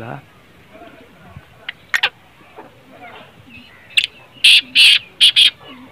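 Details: Black francolin call, played to stir a kept francolin into calling: after a quiet stretch with faint voices and scattered clicks, a quick run of four loud, harsh, buzzy notes.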